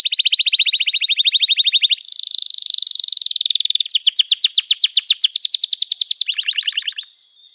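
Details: Continuous canary song meant to draw young canaries into singing: a steady fast trill, a buzzy rolling passage, loud spaced downslurred notes, then a lower rattling phrase ending abruptly.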